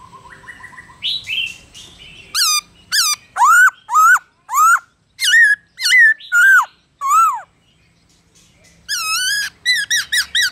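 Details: Black-throated laughingthrush in wild 'forest voice' song, played to train young caged birds to sing: soft rising whistles, then a run of loud, clear notes that dip and rise, about one per half second, ending in a quick burst.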